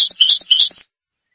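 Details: Rasta goldfinch from Tunisia singing a Torka phrase: quick, regular chattering notes with bright metallic overtones, roughly eight beats in under a second, ending abruptly into silence.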